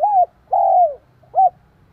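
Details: Spotted dove calling to stir up another dove. A single three-note phrase: an arched opening coo, a long, slightly falling middle coo, then a short clipped final note, clear against a quiet background.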